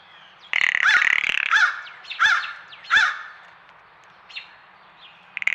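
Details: Female blue jay on a trail camera, apparently alone, giving the female-only rattle call: a dry, clattering rattle of about a second, then two shorter bursts; owner suspects it serves something besides intruder warning.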